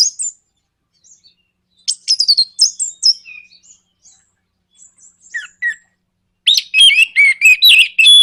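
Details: Orange-headed thrush song for provoking other birds to sing, scattered high thin whistles and chips at first, then a loud dense run of harsh, buzzy repeated notes.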